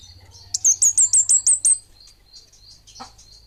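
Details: An actively singing 'bunga api' orange-headed thrush gives a rapid run of seven shrill, high, down-hooked whistles, then falls quiet. Faint high chirps and a brief flutter-like sound follow.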